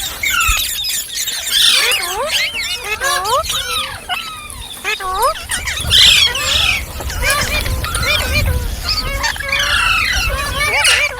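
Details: Green parrot, a ringneck, chirping: a run of repeated upswept whistled calls followed by harsh squawky chatter and mixed squeaks, with low rumbling background noise.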